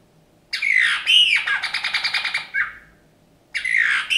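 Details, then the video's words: Captive Eurasian bullfinch, rescued wounded and frozen from a snowdrift in January 2019, sings harsh, creaky squeaks that run into a rapid stuttering series of pulsed notes; after a brief pause another scratchy phrase begins. "Снегириные народные песни, исполняет снегирь"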